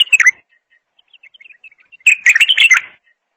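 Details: Bulbul voice: a brief warbled note, then a string of soft, thin chirps, then a loud, full burst of rapid, melodious whistles.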